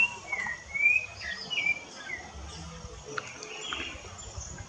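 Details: Rufous-bellied thrush singing in the woods: a few faint, short whistled phrases sliding around mid pitch in the first two seconds, then quieter scattered high notes over a low background hum.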